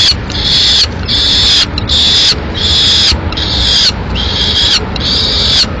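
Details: At a Madrid peregrine falcon nest, with the male delivering a swift for the chicks, long even wails repeat roughly every second, each held and then cut off by short gaps.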